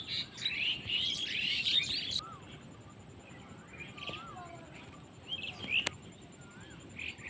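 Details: Birds chirping in a Bangladeshi village: a dense burst of high chattering notes for two seconds, then scattered soft slurred whistles over a steady hiss of background noise.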